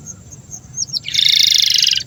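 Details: Canary master song for young canaries: a few thin high whistles, then a loud, dense buzzy trill held for about a second.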